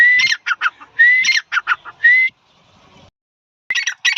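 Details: A male grey francolin (Ortygornis pondicerianus) gives loud, shrill phrases about once a second, each a rising whistle ending in a rapid burst of harsh notes, then pauses and resumes.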